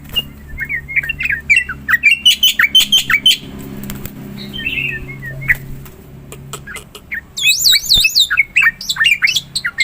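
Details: Busy song of a black-winged myna, meant to trigger singing in other mynas: rapid harsh notes and whistles, a softer chattering middle, then loud wavering whistled squeals with a low room hum beneath.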